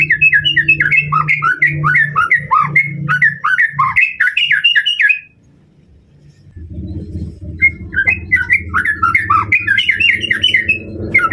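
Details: White-rumped shama, in a recording meant to provoke a rival, pours out rapid, looping whistled phrases, pauses briefly, then resumes over a low steady hum.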